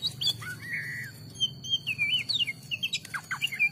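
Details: Oriental magpie-robin (kacer) singing actively, part of a collection of kacer songs: varied clear whistled phrases, some sliding and looping up and down, a sustained whistled note near one second, then quick scattered twittering notes; low steady hum underneath.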